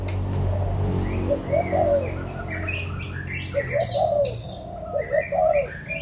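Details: Adult spotted doves of Malaysian and Thai stock, recorded 16 March 2022: mellow cooing phrases of rolling, slightly rising-falling notes recur about every two seconds, over a low steady hum, with brief high chirps from other birds.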